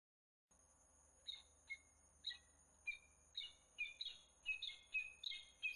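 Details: From Włocławek, Poland, 15 January 2013: a peregrine falcon starts after a brief silence with spaced, hoarse calls. The calls grow louder and quicker, ending in a busy string of doubled, chattering notes. Thin high electronic tones hang behind them.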